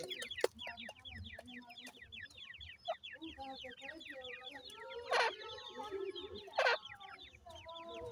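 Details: Several captive grey francolin (Teetar) chicks peep almost nonstop, with quick high notes falling in pitch, packed closely together. Two loud broadband bursts stand out near the end.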